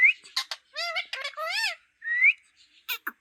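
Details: Talking green parrot producing rising whistles at the start and end. Between them come clicks and several harmonic, voice-like syllables that bend up and down.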